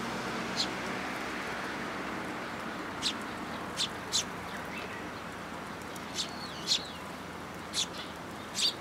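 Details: Sparrows gathered at a plum-tree feeding spot at a Tenmangu shrine, recorded 22 May 2022, give scattered short high chirps, singly and in pairs, every second or so, over steady outdoor noise.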